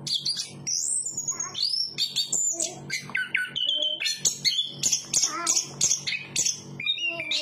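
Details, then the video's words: Chestnut-capped thrush delivering a loud, continuous song: a long sliding whistle early on, then dense bursts of clear notes and trills, with a steady low hum underneath. "Burung Anis kembang berkicau"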